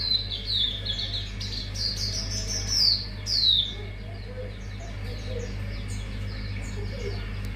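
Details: Mangrove whistler lure song opening with a rapid run of whistled notes followed by two louder, longer downslurred whistles, then fading to faint chirps over a low hum.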